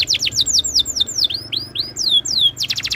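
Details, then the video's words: A canary's tutor song for other canaries: repeated falling whistled slurs, a few longer sweeping notes, ending in a quick trill. "MASTERAN BURUNG KENARI ABAD INI - BIKIN KENARI LAIN IKUT BUNYI"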